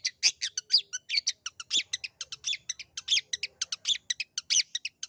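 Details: Long-tailed shrike calling to coax a shy or reluctant shrike into singing: a fast, steady run of harsh, scratchy chattering notes, roughly seven or eight per second, with no other sounds.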